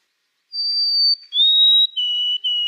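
White-throated sparrow singing clear, pure whistles: a long high note, a slightly lower held note, then steady lower notes, each stepping down in pitch.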